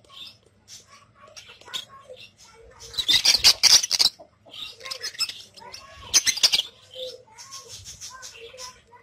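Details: Budgerigars (Australian parrots, pet birds) chatter in a busy stream of quick, high chirps and warbles, with two bursts of harsh squawking and wing flutter.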